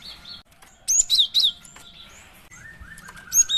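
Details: Cinereous tit female lure call: a tight run of three high, bright chirps, then a softer, lower rising whistle from another bird.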